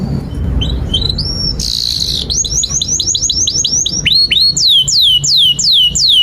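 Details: Canary singing continuous song for teaching young birds: rising whistled notes, a brief noisy burst, a series of repeated upward-hooked notes, then loud descending chirps repeated about every half second.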